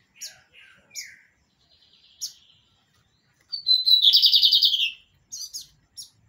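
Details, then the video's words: Kept lined seedeater delivering the pirata song: soft lower introductory notes and chips, then a whistled note sliding into a loud, rapid buzzy trill lasting over a second, ending with high chips. "BIGODINHO PIRATA DO NOSSO AMIGO ALLISON CANTANDO MUITO BONITO SEMPRE DANDO UM SHOW DE MELODIA!"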